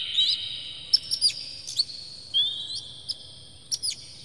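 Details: Oriental magpie-robin lure song meant to provoke singing: fairly quiet, with spaced sharp high notes, a short warble and a long, smoothly rising whistle.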